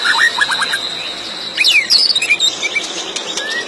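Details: White-rumped shama song against a steady hiss of background noise: a few quick rising whistles, then a burst of sharp, high, swooping notes and short chirps.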